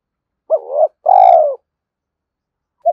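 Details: Spotted dove cooing, a call used to stimulate decoy doves: a short mellow coo, then a longer, louder, throbbing coo that falls slightly in pitch, and a brief clipped note at the end. Silent background.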